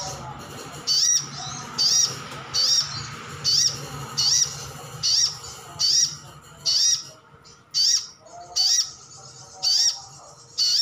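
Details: Captive brown-throated sunbird of the 'ngalas' type calling to coax answers from other birds, a long run of about eleven shrill high chirps, close to one per second, with faint low hum underneath.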